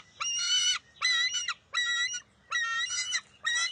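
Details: June 2021 at a bald eagle nest: the eaglet, unwilling to share a fish with its mother, gives five loud, harmonic whining cries about one every 0.8 seconds, the third and fourth slightly wavering.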